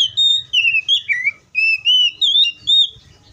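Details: Oriental magpie-robin in the wild singing a continuous string of pure, slurred whistles, each note gliding up or down, with a brief break midway; faint low rumble behind.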